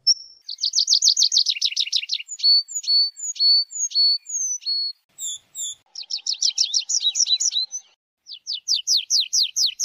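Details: Tree pipit delivering a full song: a dense buzzy trill, a string of clipped downslurred whistles, high thin notes, then another rapid trill and a closing run of descending strokes.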